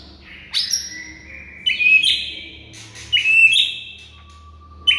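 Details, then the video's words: Murai batu, the White-rumped shama, singing a masteran meant to make silent shamas respond; loud whistled phrases arrive roughly every one and a half seconds, each ending in a bright high flourish. "HITUNGAN DETIK MURAI BISU BAKAL RESPON GACOR DENGAR MASTERAN MURAI BATU INI"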